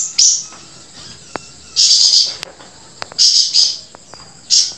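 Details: Grey-breasted prinia giving a few separate high, hissing buzz phrases with long pauses between them. Faint ticking clicks are heard in the quiet stretches.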